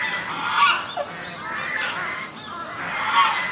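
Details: Swan goose at Inokashira Park Zoo, Tokyo, October 2018, giving loud, harsh, nasal honks in broad bursts, about three in under four seconds, with a busy background of other geese.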